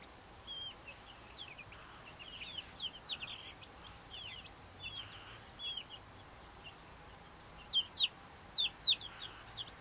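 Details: A happy little bunch of Brahma chickens giving many short, high chirping peeps in overlapping, irregular runs, several birds calling at once, with a few louder, sharper peeps near the end.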